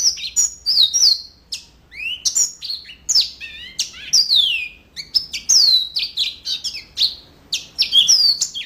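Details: Yellow-fronted canary in full song, repeated bursts of high downslurred whistles and quick chirps, some notes sweeping sharply downward, phrases separated by brief gaps over almost nine seconds.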